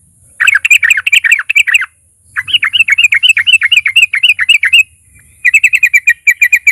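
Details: Vocally active fighter sooty-headed bulbul sung as a lure to provoke other bulbuls to sing: three bursts of rapid, bright chirping notes, about four per second, separated by short pauses, over a steady high-pitched whine.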